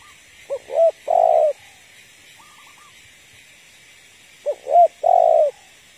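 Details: Female spotted dove calling to rouse a male: two short phrases of soft coos, a quick rising note then a longer falling one, separated by a pause, with a faint higher trill between.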